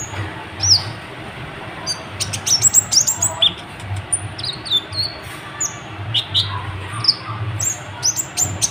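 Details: Restless kolibri ninja sunbird singing to get other birds to answer: irregular high, thin slurred notes and short chirps scattered through the clip, some downslurred whistles, against a faint low rumble.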